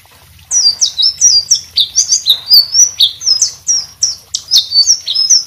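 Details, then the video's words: White-rumped shama in full song used as a tutor for other birds, a fast continuous series of high, clear whistled notes with sweeping slurs, each phrase about a quarter second long. "suara selendang biru gacor buat masteran burung lain"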